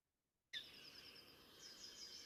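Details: A flock of about 100 Common linnets flushing from a farmer's wild bird cover crop in County Down in winter gives a rapid, high twittering song of thin, tumbling notes that begins abruptly and runs without pause.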